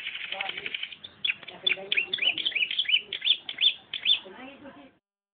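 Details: Canary singing in a filled-in style: rapid repeated high sweeping notes and trills in a continuous run, with softer lower chatter underneath, ending abruptly.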